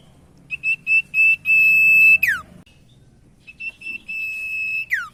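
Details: Common iora (sirtu) singing as a lure for other ioras: two phrases, each of a few short whistled notes and a long flat whistle that drops steeply at the end; low background hum.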